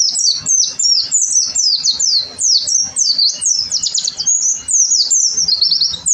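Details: Oriental white-eye in vigorous gacor song for tutoring: an unbroken stream of rapid, high, downslurred chirps tumbling one after another for the whole stretch.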